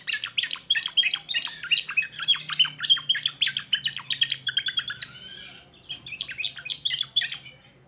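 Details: Young timbrado canary delivers fast repeated chirped notes and rolling trills, a brief buzzy roll near the middle, a short pause, then more bright warbling; soft low hum underneath.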